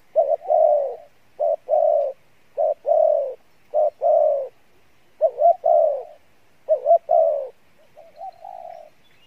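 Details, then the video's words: Spotted dove cooing, described as "Đồng Pha Bài Lối" with a good voice: a steady run of about six loud paired coos, a short note then a longer falling one, roughly every second and a half, ending in softer level coos. "Đồng Pha Bài Lối , tốt Giọng , Gù khá"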